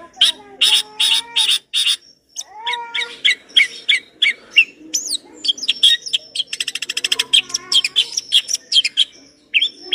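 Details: Long-tailed shrike in energetic, lively song with rich borrowed fill-in phrases: rapid harsh buzzy notes give way to varied chirps and sweeping whistles, then a fast rattling trill of closely spaced clicks and more chattering phrases.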